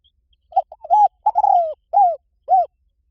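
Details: Decoy call of a spotted dove used to attract wild doves. Soft stuttered notes lead into a long, slightly falling coo, then two separate rounded coos spaced about half a second apart. No other sounds.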